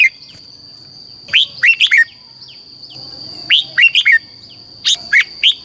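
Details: Red-whiskered bulbul song, southern master style from Thailand, played to teach chicks and excite caged birds: three- and four-note groups of downslurred whistles about two seconds apart, with a persistent high electronic tone.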